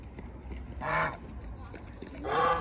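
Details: Domestic goose kept alongside ducks, giving two loud, harsh, nasal honks about one and a half seconds apart, each with a broad buzzy tone, over a low rumbling background.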